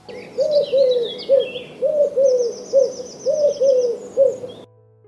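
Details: Eurasian collared dove (Streptopelia decaocto), a UK bird, cooing in soft, low three-note phrases, coo-COO-coo, repeated three times, with faint high twitters from other birds behind it.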